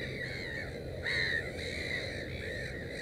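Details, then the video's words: At a nest with three chicks, a black-headed gull calls in grating, rasping notes, one louder drawn-out cry in the middle, between softer arched calls, with a steady low rumble behind. "Озерная чайка"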